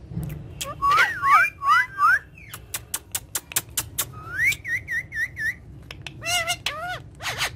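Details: Pet parrots playing together on a charpai: looping rising-falling whistles, a quick series of sharp clicks, then a run of short wavering whistled notes and a few harsher squawky calls, with low room hum underneath.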